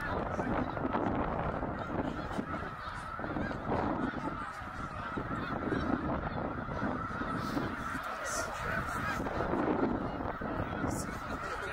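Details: Tens of thousands of snow geese migrating north through Middle Creek, Pennsylvania, 2023: a constant wall of honking, with some lower, deeper calls and wind-like rushing in the background.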